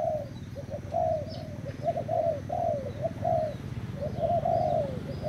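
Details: Thailand-type spotted dove, recorded 25/08/18, cooing in mellow, slightly wavering notes grouped in short phrases, over a constant low hum and faint high chirps.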